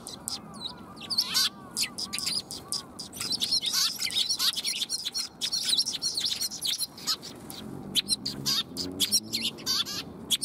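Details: Many sparrows gathered to be fed on 20 March 2021 chirp busily and continuously, with sharp high notes overlapping and some twittering, and a brief lull around seven seconds.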